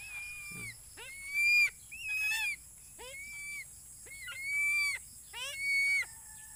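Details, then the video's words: Philippine eagle calling early in the morning as breakfast nears. Repeated high, ringing whistled screams, each sweeping sharply upward and then holding steady for about half a second, come roughly every second, with a soft background hum. "mag aalmusal na ginising ako ng maaga ll Philippine Eagle"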